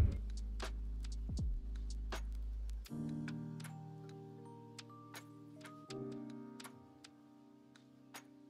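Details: Gentle keyboard music with plucked notes and ticking percussive accents plays throughout, with no animal calls.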